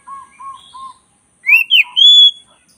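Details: Oriental magpie-robin (black-breasted kacer) tutor song: three soft, low, level hoots, then a loud upward-slurred whistle, a short twisting note and a long, sustained, high clear whistle.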